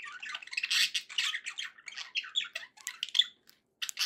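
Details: Pet budgerigars chattering happily: fast run of squeaky chirps and buzzy notes, ending in scattered sharp clicks after a short pause.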